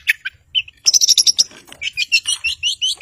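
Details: Caged long-tailed shrike used to provoke silent birds to sing, delivering a busy varied song: a burst of rapid buzzy high notes followed by a string of quick chirped whistles.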